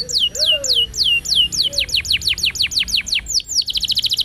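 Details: Canary song meant to teach young canaries and coax non-singing birds: series of quick down-slurred whistled notes repeated several times a second, speeding into a tight high rattle, with a soft lower whistle underneath.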